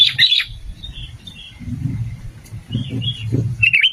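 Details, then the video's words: Sooty-headed bulbul song for luring: an opening burst of quick bubbly notes, then soft, spaced whistles and a final short phrase, with low background murmur. "SUARA BURUNG KUTILANG GACOR 2025"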